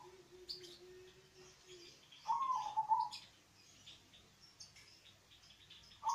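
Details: Deep-voiced local zebra dove singing as a lure for doves reluctant to call; one rapid rolling coo phrase sounds midway, over scattered high chirps of other birds and a low steady tone early on.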